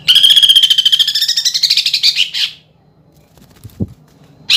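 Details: Greater green leafbird lure song for song contests, filled with woodpecker, kingfisher and fighting-sparrow phrases and rough rolling bursts. A fast buzzy trill of rapid pulses, rising slightly, lasts about two and a half seconds. A short click follows in the quiet.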